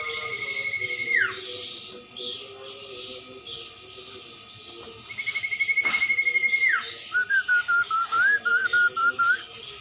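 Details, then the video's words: Common iora song recorded as a training track for songbirds: a long level whistle that drops sharply, repeated twice, then a wavering warbled phrase, over background music. "masteran burung cumpon/sirtu"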